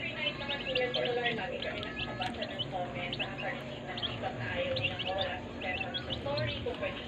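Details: Brooder full of day-old chicks giving continuous shrill peeps, many overlapping, over low murmuring background noise.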